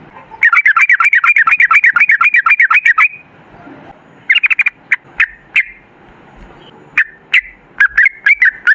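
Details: Rapid 'ropel' song of a sooty-headed bulbul, played to lure other bulbuls into singing: a fast run of bubbly, liquid warbled notes lasting about two and a half seconds, then a quick burst and scattered single chirpy notes with pauses.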